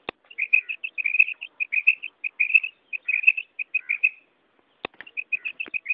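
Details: Calls of a female quail, known locally as batair, in the karak style: quick bursts of short chirps, several per second, a brief pause near the end, then more chirps and a sharp knock.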